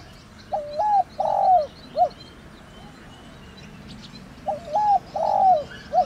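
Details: Spotted dove, cu gáy, calling in the thổ đồng manner to rouse decoy birds. Two matching three-part coo phrases about four seconds apart, each with a short lead note, a drawn-out burry coo and a clipped ending, over faint birdsong.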